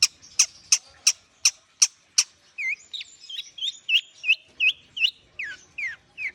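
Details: Long-tailed shrike warming up, opening with seven evenly spaced sharp ticks and then a run of varied whistled slurs that wobble, rise and fall, several dropping steeply, in a quick, chattering sequence.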